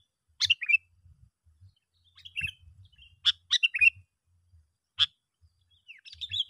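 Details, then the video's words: Sooty-headed bulbul lure call, meant to bring other bulbuls close: clipped phrases of sharp clicks followed by bubbly descending whistles, repeated irregularly, with soft low knocking underneath. "panggilan yg sangat Ampuh ‼️ bikin bl berdatangan"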